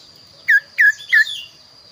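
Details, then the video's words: Kaso-kaso bird singing actively with a unique, varied voice, suited for tutoring other songbirds: three short, clear, slurred notes falling in pitch, about a third of a second apart, over a steady high thin whine. "burung kaso kaso gacor suara unik"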